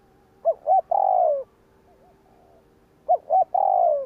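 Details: Spotted dove 'gù kích' coo for stirring up wild doves: two phrases nearly three seconds apart, each a pair of short clipped notes leading into a long falling coo, with quiet wavering sounds between.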